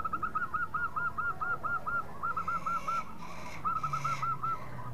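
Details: Perkutut, the zebra dove, in lure song meant to make rivals respond fast: rapid runs of rounded hooked coos in two strings with a short gap, amid noisy background and some rustling thumps.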